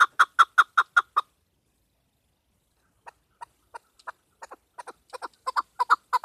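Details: Female chukar partridge calling for hunters: a loud burst of rapid chucks, a pause, then quieter notes gradually returning and swelling into a repeated series.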